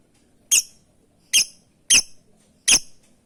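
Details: Lovebird calling to its companions, giving four loud sharp high-pitched chirps spaced roughly half a second to a second apart, with quiet between them.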